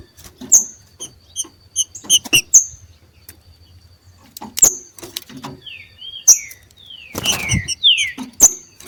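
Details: Pair of male green-winged saltators competing in nature: scattered sharp ticks and high clicks, then a cluster of smooth downward-sliding whistles amid knocks and clatter.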